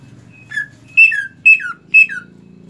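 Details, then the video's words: Caged greater green leafbird singing after finishing its moult: loud, bright whistled phrases sliding downward, repeated about every half second, with a faint low hum indoors. "cucak ijo rajin berkicau setelah beres mabung"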